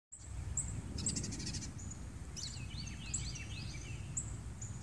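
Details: Birds singing in the morning at San Antonio, Texas: thin high chirps and quick descending whistled slurs, several overlapping, over a steady low rumble of background noise.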